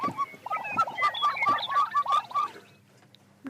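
A chicken gives a quick run of nasal, mid-pitched clucks, about four a second for two and a half seconds, then falls quiet.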